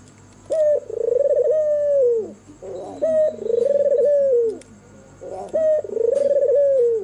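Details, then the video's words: Albino white turtle dove with red eyes singing at night: low, purring coos around 500–600 range, each phrase a short rising note followed by a long rolling trill that fades, repeated about every 2.5 seconds; a faint steady high whine runs throughout. "SUARA MERDU BURUNG PUTER PUTIH MATA MERAH MANGGUNG DIMALAM HARI"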